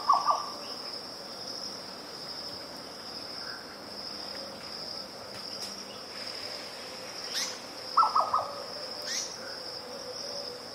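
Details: Grey plantain-eater giving its cu-mcu call: two short bursts of harsh, rapid, mid-pitched cackling notes, at the start and near the end, over a steady high insect drone; blue-spotted wood dove also present in recording.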